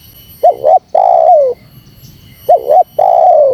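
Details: Spotted dove provocation call, with two clean phrases, each a fast bouncing double note followed by a sustained, gently descending, slightly buzzy coo, separated by a short quiet gap.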